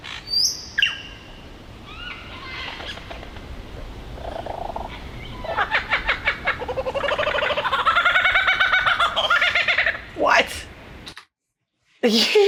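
A Superb Lyrebird mimics a kookaburra with a rollicking laugh of rapid, harmonic chuckling notes that swell and fall. Scattered whistles and sharp chips precede it.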